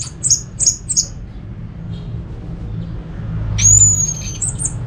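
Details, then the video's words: Orange-headed thrush from North Bali, singing as a lure for other thrushes: three quick high chipping notes, a pause, then a long thin whistle held level with a short trill at the end. "Suara burung ANIS MERAH ini ampuh bikin ANIS Jenis apapun ikut bunyi"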